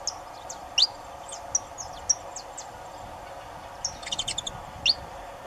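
A saffron finch gives sharp, high chips and short slurred notes at an irregular pace, with a quick burst of chips near the end, over steady background hiss.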